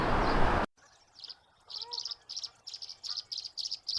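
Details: Tree swallow (Tachycineta bicolor) at Somenos Marsh, Vancouver Island, British Columbia, where they nest in nest boxes, giving its high-pitched fast chattering call in rapid runs of several notes each second, after a brief rush of noise.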